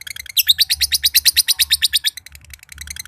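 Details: Josan (standard green) lovebird, a prized competition bird from Mojokerto, giving a long ngekek trill meant to set other birds trilling: a rapid run of about fifteen high, buzzy notes in under two seconds, with softer chirps around it.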